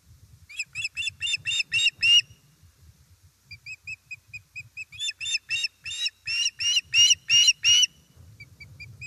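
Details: Osprey calling at the nest when fish arrives, Estonia, 1 September 2019: bursts of loud, piercing whistled yelps in rapid series, separated by a softer run of thin, clipped chirps.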